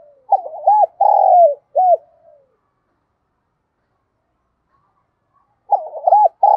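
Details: Spotted dove used as a decoy, cooing to lure wild doves in to come and fight: a phrase of low hooting coos with one longer rolling note, silence, then the phrase starting again.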